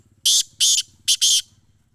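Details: Black francolin in Sindh, Pakistan gives a loud grating call of four harsh notes. Two evenly spaced notes are followed by a closer-set pair, with faint low rumbling behind.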